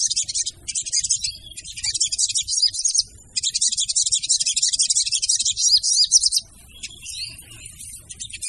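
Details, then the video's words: Lure call of a female crimson sunbird: shrill, high-pitched rapid chattering in long unbroken runs, breaking off twice for a moment, then thinner scattered squeaks after about six and a half seconds. "PANCINGAN SOGON TER AMPUH DENGAN SUARA SOGON BETINA!!!"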